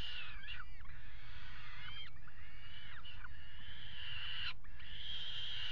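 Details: Peregrine falcons copulating on a water tower ledge in Axel, 5 February 2018. Several quick hoarse notes that arc and drop are followed by a long, even, strained wail, all over continuous low droning noise.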